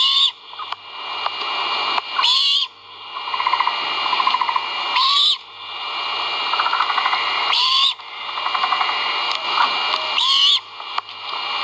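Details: Owlets of the great horned owl calling during food delivery at a Skidaway nest on a live camera: a regular run of harsh, breathy screeches roughly every two and a half seconds, with faint scraping between calls over steady hiss.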